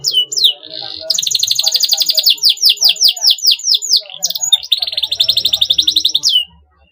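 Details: Singing canary whose song is played to encourage young birds to sing gacor fighter style: a short whistle, a dense rolling trill, a run of rapid downslurred notes, then another fast buzzy trill.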